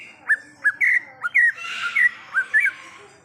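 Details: Greater green leafbird singing in the wild: short clear whistled notes, some slurred downward, given in an uneven run, with a brief rough burst in the middle.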